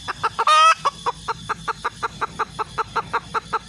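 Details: Clucking series from a red junglefowl hen: one loud drawn-out squawk early on, then steady short clucks repeating roughly four times a second.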